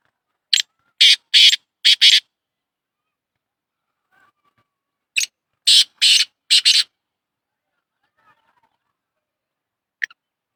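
A black francolin gives two harsh, grating phrases of four or five clipped notes each, a few seconds apart, against otherwise quiet surroundings.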